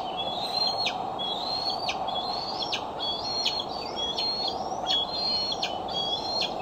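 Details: Decorah bald eagle filmed by a nest camera, July 6, 2011, afternoon to evening; a string of high, slightly rising whistled notes, each ending in a quick downward slur, roughly once per second, with constant background hum.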